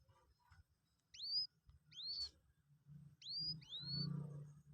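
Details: Being taught to eat pellet feed at two days old, a Common Moorhen chick gives four clear, rising whistled peeps in two pairs, with a low hum and handling sounds.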